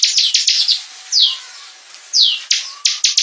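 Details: A Bar-winged Prinia sings a fast series of high, harsh chips and descending buzzy sweeps, several notes per second, with nothing else heard.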